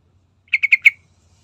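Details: A single quick phrase of four bright, evenly spaced chirps from a Sooty-headed bulbul, used as a lure to prompt other birds to sing. The phrase is over in half a second.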